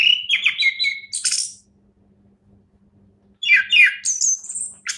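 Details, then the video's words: Orange-headed thrush, a champion bird, delivering two bursts of varied song: sharp whistles and chattering notes, some high and thin, separated by about two seconds of quiet. "anis kembang juara"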